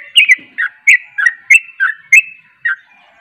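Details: Sooty-headed bulbul giving its fast ropel song, with another bulbul said to join in: short bright chattering notes around mid pitch, some with high overtones, repeated roughly every third of a second for about three seconds, then a faint trailing note.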